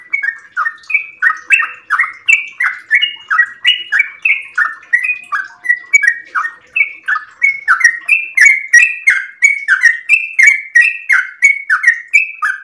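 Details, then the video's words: Yellow-vented bulbul at dawn pours out a long unbroken run of bubbly, liquid chattering notes, rising and falling in a rollicking mid-pitched stream; used as a lure and tutor song for kept bulbuls. "trucukan gacor ropel panjang"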